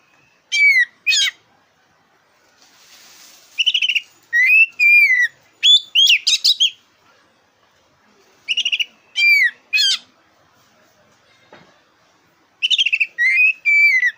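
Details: Very vocal black-breasted kacer, or oriental magpie-robin, singing to provoke contest birds: clusters of sweet downslurred whistles mixed with sharp rising chips, in bursts separated by silent gaps across fourteen seconds.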